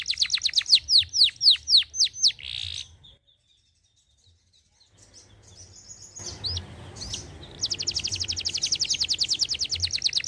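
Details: Canary singing: a quick series of downslurred whistles and a burst of harsh notes, a gap of near silence, then rising background noise and a fast high trill of repeated notes.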